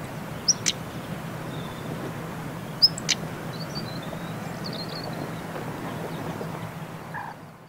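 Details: A female European stonechat in autumn, Gulf of Morbihan Regional Natural Park, Brittany, 17 October 2021 at a warm 23°C, gives two call pairs two seconds apart, each a thin high whistle and a hard stony tack, over low hum.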